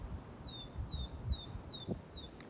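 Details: Willow tit (Poecile montanus) singing five clear, high whistled notes, each sliding steeply downward, repeated about twice a second over a low background rumble.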